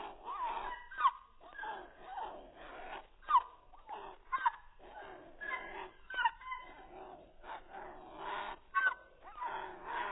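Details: An odd-sounding cockatiel producing a steady run of whiny, warbling notes with strong overtones, punctuated by short sharp upward squeaks roughly every one to two seconds, recorded indoors.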